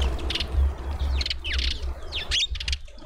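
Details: Hungry Cape white-eye at a garden feeder in suburban Pretoria, South Africa; a brief burst of high, sharp chirps and buzzy notes, several quick downward slurs packed close together, with a low hum underneath.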